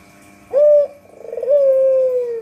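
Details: One coo from a white Barbary dove used for luring: a loud short note, a brief soft pause, then a rattling trill flowing into a long, level note that gradually sinks, over a faint background hum.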